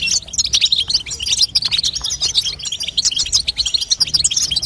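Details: Bright, rapid twitter of a female European goldfinch, intended to stimulate a young goldfinch to sing; quick high chirps and buzzy trills run in a continuous chatter.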